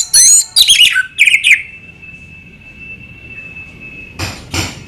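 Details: Orange-headed thrush (anis merah) opening with a burst of high twittering and whistled notes, followed by a long faint steady tone and a couple of soft scratchy sounds.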